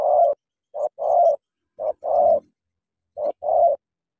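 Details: Spotted dove from Cà Mau, a decoy bird, giving low, husky cooing phrases, each a short note followed by a longer rolling coo, repeated three times about a second apart with clean quiet between.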